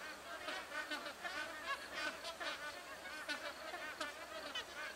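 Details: Magpie geese in a tree-perched flock keep up a busy, overlapping clamour of brief honks and chatters, rising and falling slightly in loudness throughout.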